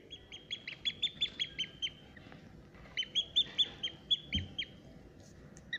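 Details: A newly hatched Eurasian oystercatcher chick at Prague Zoo, on 24 July, gives two runs of thin, high peeps, about five per second, with quiet rustling below.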